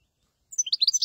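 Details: Brief snatch of European goldfinch song for luring birds when hunting: after silence, a rapid string of about six bright, high chirping notes in under half a second.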